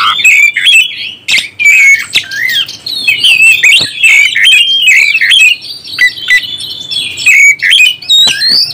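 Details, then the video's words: Stirring-up song of an oriental magpie-robin: continuous fast stream of whistled, warbling notes mixed with harsh rasping calls and clicks, loud and busy throughout. "NAIKAN EMOSI BURUNG KACER ANDA"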